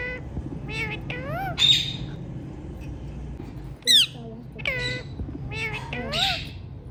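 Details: Hand-tame ringneck parrots calling repeatedly: arched, harmonic squawks in short bursts of two or three, mixed with harsh raspy screeches, steady room hum underneath.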